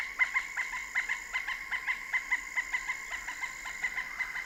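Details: A Pileated Woodpecker in Kentucky calling to communicate: a long, slightly uneven series of loud, ringing 'kuk' notes, about three to four per second, over a faint steady hiss.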